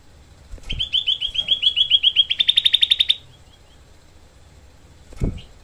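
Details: Cucak kelabu, the grey-bellied bulbul, delivering a tight, harsh 'tembakan': fast repeated chip notes build into an accelerating rattle lasting about two and a half seconds, then a thud near the end.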